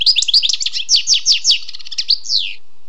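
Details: A wild European goldfinch delivers a compact, rapid string of tinkling, slurred twitter notes, ending in a drawn-out, descending buzzy note.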